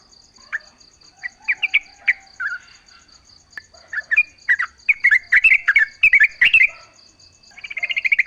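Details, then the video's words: Song of a Yellow-vented bulbul, played as a lure to draw replies from other bulbuls. Scattered chirps build into a dense, fast, gurgling warble, which ends in a rapid buzzy trill of pulses, with a steady high whine behind. "trucuk gacor full suara alam ampuh buat pancingan agar bunyi"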